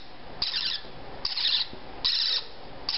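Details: Pet parrotlet nestlings, 3–4 weeks old, female, bobbing their heads as they learn to self-feed; four rasping, buzzy chirps repeat at steady intervals of roughly three-quarters of a second.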